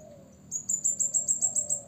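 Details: Blue-crowned hanging parrot used as a lure to provoke rival birds: after a faint start, a run of about eight short, very high, thin chips repeated rapidly, each a bright sharp note.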